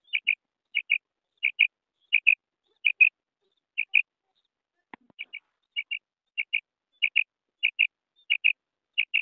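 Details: Female quail calling; short, high double notes repeated steadily about every half second to second, clean and clear, with one faint low click midway and otherwise quiet background.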